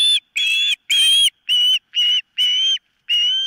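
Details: At the nest, an osprey gives piercing whistled squeals, each note about a third of a second long and slightly rising, seven in quick succession with short pauses.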